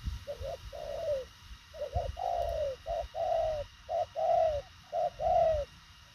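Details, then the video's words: Spotted dove, called thổ khàng, cooing at speed with short, compact phrases: quick double notes followed by drawn-out, slightly descending coos, repeated in a steady run over low background rumble. "Thổ khàng tốc độ gù bá cháy, ngắn gọn xúc tích."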